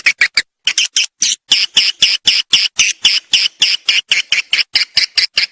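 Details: Swiftlet lure call played to attract swiftlets: rapid series of sharp, dry chirps repeated about four times a second, each a broad high-pitched click-like burst, steady and insistent.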